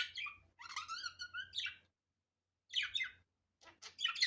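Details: Budgerigar in a natural unedited recording giving a long rippling, buzzy warble with wavering tones, then pauses and short clusters of scratchy chirps, over a faint low background hum.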